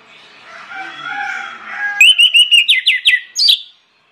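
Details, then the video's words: Loud, persistent orange-headed thrush lure song used to set other birds singing; faint bird chatter gives way to a quick burst of bright whistled notes and sharp downward-sweeping slurs, ending in a higher rising phrase. "PANCINGAN ANIS MERAH NGEPLONG NGOTOT YANG LAIN AUTO NGIKUT"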